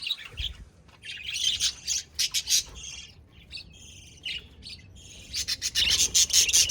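Budgerigars chattering in quick, scratchy warbles and sharp chirps, several birds calling over one another.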